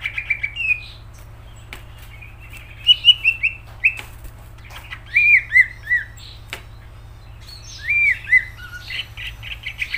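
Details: Lively greater green leafbird song, the gacor style: sequences of sweet slurred whistles, several arched notes repeated in quick runs, separated by short pauses and sharp clicks, over a constant low electrical hum.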